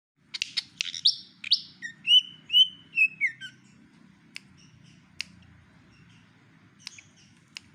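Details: Javan pied fantail imitating white-rumped shama song: a quick run of sharp high notes, then several clear whistled phrases sliding down in pitch, followed by scattered dry clicks over a low background hum.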